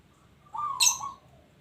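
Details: Single quick, quavering coo phrase from a local zebra dove, overlapped midway by a bright high chirp.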